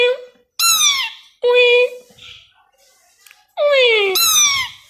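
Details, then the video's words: Tamed pet plum-headed parakeet, a two-year-old male that speaks Urdu or Hindi words, gives loud harmonic, falling calls in three bursts indoors, with a soft murmur of a person's voice between them. "Talking Plum Headed Parrot"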